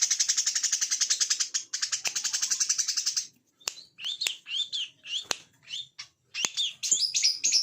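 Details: Plain-throated sunbird on a training recording, in the "ngebren" style of song. Two long, rapid, high-pitched buzzing trills lead into quick, sharp, squeaky whistled phrases that rise and fall, broken by brief clicks.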